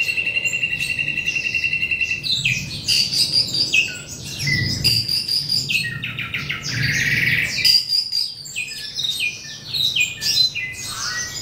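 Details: Asian pied starling mimicking the songs of its keeper: a varied song of steady whistled notes near the start, then loud harsh chattering bursts mixed with short rising and falling whistles, ending in scratchy notes.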